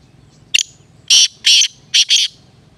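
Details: Black francolin call, a brief sharp note followed by four loud raspy grating syllables grouped in pairs, with quiet low rumble between them.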